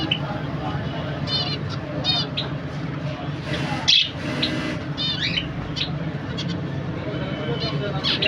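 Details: A zebra finch family, a pair with two young, gives short nasal, buzzy beeps in scattered bursts over a steady low background hum.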